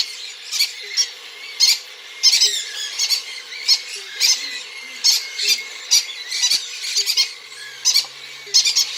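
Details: Hand-fed cockatiel hatchlings, three weeks old, make rasping, grating squawks in spaced bursts, sometimes in quick pairs, against a faint steady background hum.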